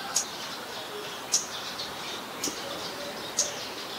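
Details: Scarlet-backed Flowerpecker (Dicaeum cruentatum) in Ubon Ratchathani, Thailand, on 15 March 2021, giving four sharp, very high ticking notes, spaced about a second apart, over a faint steady hiss.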